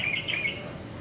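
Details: Yellow-vented bulbul, a male singing alone, giving a short bubbly run of clear warbled notes in the first half-second, then quiet background.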